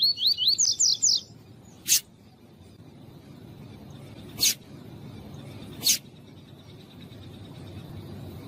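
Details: Caged male double-collared seedeater with a female calling, used to stimulate singing in tournament birds: a quick series of rising whistled notes over the first second, then three sharp isolated clicks spaced about two seconds apart over steady low background hum.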